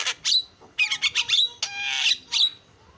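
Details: Starling singing a lure song, with harsh scratchy bursts, a long buzzy rasping phrase about half a second long, and thin whistled accents between, loud and close.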